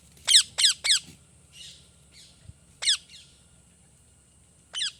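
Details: Captive rose-ringed parakeet, moulting and missing feathers, gives loud harsh screeching squawks that sweep downward: three in quick succession, then single calls near three and five seconds, with softer chatter between and a low hum underneath.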